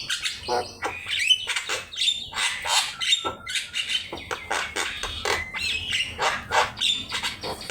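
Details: Javan myna singing, a master recording used for teaching caged birds to sing; dense, continuous chatter of harsh, buzzy notes mixed with thin whistles and clicks, packed closely throughout.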